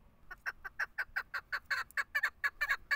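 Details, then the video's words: A female chukar, kept as a decoy bird for hunting, gives a rapid, steady run of hoarse clucking notes, about six a second, growing slightly louder. No other sounds are heard. "madi dasi chakor bird female shikari chakor keklik sesi awaz sound voice singing"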